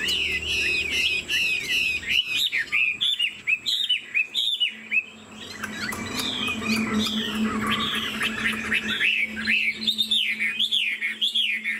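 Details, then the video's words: A caged, tame Chinese Hwamei gives a wing display and sings while bobbing its head. Its loud song is a fast series of looping, swooping whistles, repeated over and over, with a faint low hum behind. "Họa mi thuần 90%, chơi cánh, hót gật gù múa lân"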